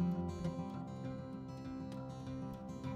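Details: Strummed acoustic guitar music plays throughout, with no animal voice.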